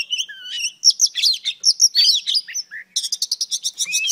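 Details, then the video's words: A female oriental magpie-robin sings to arouse males, mixing scratchy chatter and clear whistles, a low slurred note near three seconds, then a fast, evenly pulsed trill of bright repeated notes. "Than mái hót kích trống P3 Oriental Magpie Robin Female"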